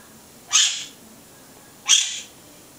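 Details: Conure giving two harsh, loud screeches about 1.3 seconds apart. Each is a broad, raspy burst lasting under half a second, over a quiet background.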